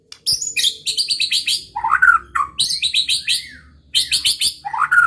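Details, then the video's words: White-rumped shama song meant to provoke rival birds: rapid bursts of high, ringing repeated notes alternating with lower rich warbled phrases, delivered in three energetic sections. "pancingan muraibatu gacor bikin murai lawan dengar AUTO EMOSI TINGGI"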